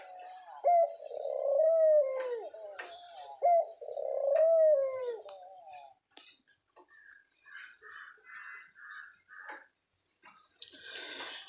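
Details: A male diamond dove kept in an aviary gives two drawn-out, low, mellow coos about two seconds each, followed by thin high chirps from other small birds; females call less clearly.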